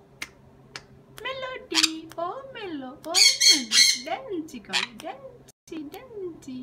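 Sun conure gives several loud, harsh, screeching squawks, mixed with wavering, voice-like chatter that rises and falls in pitch.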